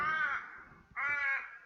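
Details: An Australian Raven gives two harsh, drawn-out caws, each fading and trailing off at the end, the long drawn-out call that distinguishes it from the Little Raven.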